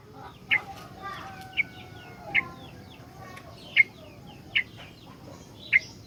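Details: Sooty-headed bulbul singing a busy, full song meant as a lure and tutor for other bulbuls: six short, sharp, bright notes spaced about a second apart, with faint twittering between them over a quiet hiss.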